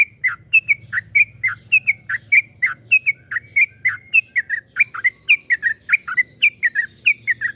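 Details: Yellow-vented bulbul pouring out long-rolling 'ropel panjang' song, played to spur other bulbuls: an unbroken string of chirpy, liquid whistles, clustered in quick twos and threes, with a low hum underneath.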